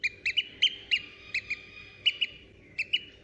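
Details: Newly hatched Eurasian oystercatcher chick, kept at a zoo in Prague, gives short, thin, high peeps, singly or in quick pairs, about a dozen notes spread irregularly over three seconds against a quiet, faintly hissing background.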